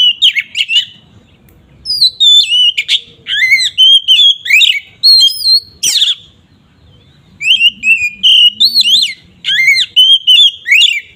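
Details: Oriental magpie-robin singing in the ngeplong style, used as a lure to make other magpie-robins agitated; loud varied whistled phrases with rising and falling notes, delivered in bursts separated by short pauses, faint low hum underneath.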